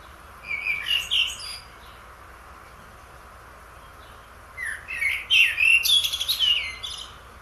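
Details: Singing blackbird from Asia. Two separate phrases, each opening with mellow fluted notes and ending in squeaky high twittering, with a quiet hissy gap between them.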